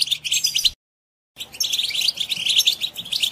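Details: Singing of a European goldfinch used to stimulate captive birds: rapid twittering chirps, a sudden silent gap of about half a second, then continuous tinkling, buzzy phrases.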